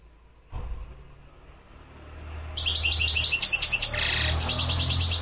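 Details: A mqnin, the European goldfinch, breaks into quick metallic twittering and a dry buzzy trill halfway through, after a sudden noisy thump and rising background rumble.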